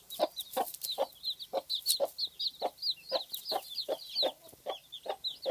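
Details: Mother hen with her brood of chicks: a regular series of short, low clucks roughly every half second, overlaid by a dense chorus of shrill chick peeps.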